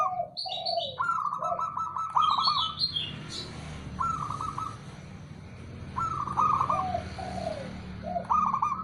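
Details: Male local zebra dove calling: repeated rapid stuttering trilled coos, several phrases, with lower gliding coo notes between them and a few higher chirps early on.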